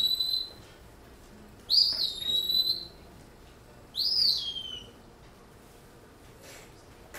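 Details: Northern cardinal (Cardinalis cardinalis), call.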